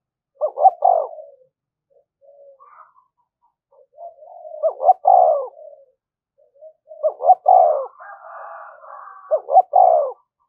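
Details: Methodical lure cooing of a spotted dove meant to provoke wild doves: four low phrases of paired short hoots and a falling coo, with soft murmured notes filling the gaps.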